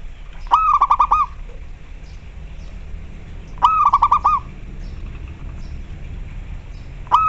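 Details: Calling local zebra dove. Short, rhythmic trilled coo phrases of quick pulsed notes repeat roughly every three seconds, with a third phrase starting at the very end, over a low hum.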